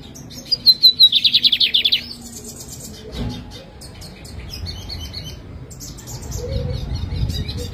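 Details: Lined seedeater (bigodinho, 'pintor') from Jataúba, Pernambuco, an owned bird, singing a fast buzzy trill of about a dozen sharp high notes in roughly one second, followed by faint scattered chips and low background hum.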